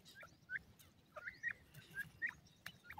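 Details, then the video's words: White Pakistani francolin chicks feeding and playing: a string of short, clipped chirps, some slightly rising, about eight scattered across three seconds at irregular intervals over a low background rumble. "gora pakistani teetar ki awaz,pheasant bird chicks feed and playing"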